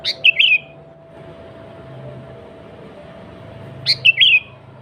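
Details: Sooty-headed bulbul singing as a lure for other bulbuls: two short bright phrases about four seconds apart, each a sharp rising note followed by a wavering whistled slur, with quiet hum between.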